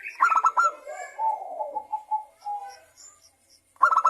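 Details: Local zebra dove, a lure song played to make other doves sing: mellow cooing phrases with quick stuttered notes near the start, then a drawn-out lower coo, a short pause, and another stuttered burst at the end.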